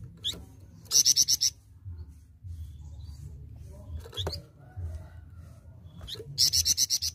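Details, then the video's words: Actively singing flamboyan, a live bird rather than a recording, gives two brief bursts of five quick, high, sharp notes, with scattered clicks and a steady low hum between. "FLAMBOYAN GACOR BUKAN MP3"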